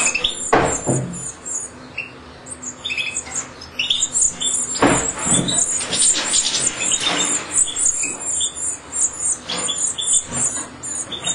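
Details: European goldfinch chicks being fed in captivity: high, thin, rapid begging twitters in excited bursts, mixed with sharp clicks and rustling knocks from the feeding.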